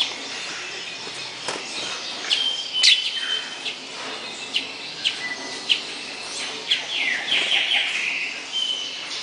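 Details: Hepatic tanager (Piranga flava) singing a run of quick slurred and whistled notes, ending in a rippling descending series, with brief clicks and a constant insect hiss behind.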